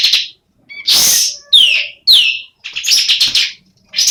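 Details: Semi-breeding female sooty-headed bulbul uttering separate short bursts: harsh buzzy notes and sharp falling whistled slurs, with clear gaps between the outbursts.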